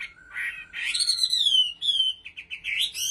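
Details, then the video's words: Caged Chinese hwamei from Bình Định, Vietnam, delivering clear whistled notes that rise and fall in long slurs, ending with quick wavering trills; almost no background sound. "Họa Mi giọng hót cực hay và chuẩn"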